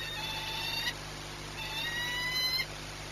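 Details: Two fainter drawn-out rising wails from a peregrine falcon at Orlen, Płock, Poland, 22 March 2021, separated by a pause of under a second, over hiss and hum.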